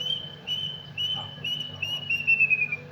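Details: A plaintive cuckoo (kedasih) gives a quickening series of about eight shrill, mournful whistles, each slightly lower than the last, over a low steady hum; a piercing night call said to be a lament.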